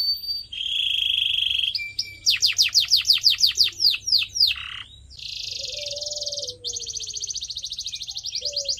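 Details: Canary song intended for training pet birds: a brief whistled note, then a series of loud down-slurred chirps repeated several times a second, a pause, and two dense buzzing trills, with a faint low tone underneath.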